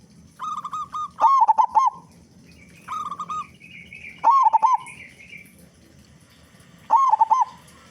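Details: Big-voiced local zebra dove used as a lure to make other doves sing: loud, warbling, rolling coo phrases repeat about every three seconds, mixed with softer, flatter coo runs and a faint higher trill.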